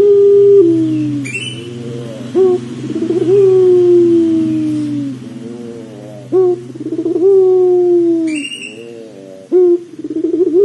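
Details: Pelung dove calling in cycles, played to make doves call quickly: sharp attacks, trembling pulse runs and long falling hollow coos recur about every three to four seconds, over a constant low electrical hum.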